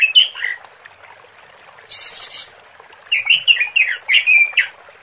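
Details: Female robin call used to lure males: scratchy chirping notes at the start and a fast chattering run near the end, with a brief sharp hissing burst in between.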